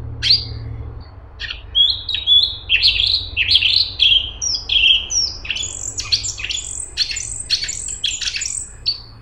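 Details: Straw-headed bulbul (cungkok) singing a long continuous run of loud liquid whistles, first swooping warbles then a fast string of higher, clipped notes, steady low background hum throughout.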